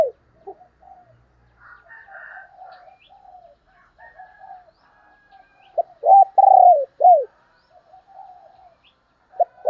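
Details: Spotted dove kept as a decoy to draw in other doves: many soft murmuring coos and some higher buzzy notes, then one loud low phrase of short coos around a long falling coo.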